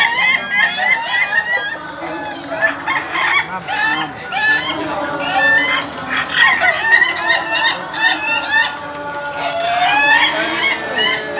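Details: Many ayam ketawa roosters at an Indonesian contest final crow in overlapping bursts, each long crow made of rapid stuttering laugh-like notes, with pulses of louder calling throughout.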